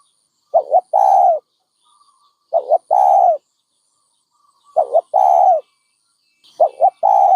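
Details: Dove repeating its low coo about every two seconds: two brief wavering notes followed by a longer, level coo, four phrases in a row in a quiet setting.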